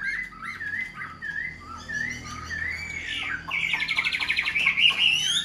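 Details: Caged, hand-tamed Chinese hwamei: clear whistled notes with slides, then a fast, buzzy repeated trill of evenly spaced pulses rising toward the end.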